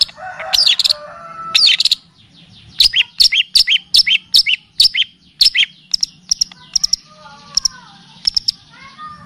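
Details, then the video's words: Long-tailed shrike (cendet, pentet) singing on a tutoring and lure recording for caged birds, full of kapas tembak and cililin phrases: dense run of harsh, scratchy high notes mixed with sharp clicks and chatter. "Masteran dan pancingan bunyi burung cendet / pentet ‼️full kapastembak dan cililin"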